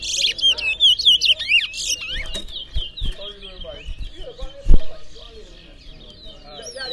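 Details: Seed finch (towa towa) singing during a bird singing competition in Berbice: bright, whistled phrases that quickly slide up and down, strongest in the first two seconds, then fading under voices, thumps and crowd noise.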